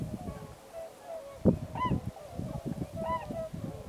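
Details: Many Tundra swans gathered during waterfowl migration at Pocosin Lakes National Wildlife Refuge's Pungo Unit, with a murmuring background chorus broken by two clearer, arched, bugling hoots and a sharp knock, over low rumbling noise.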